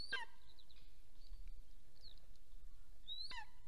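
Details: Golden eagles at a nest camera in Soomaa National Park, Estonia, morning of 1 April 2024, while the male comes home and the female leaves briefly; two high yelps, one at the start and one near the end, with faint thin whistles and low hum between.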